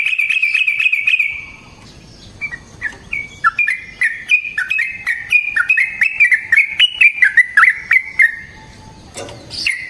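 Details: Varied fighting song of a yellow-vented bulbul, used as a lure: a brief fast chatter, then a long sequence of jumpy whistled notes stepping up and down in pitch for several seconds.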